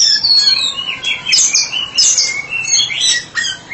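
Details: White-rumped shama, a therapy-specialist songbird, singing ngeplong: bright descending whistles and quick twittering phrases packed closely together, ending with a few separate sharp notes.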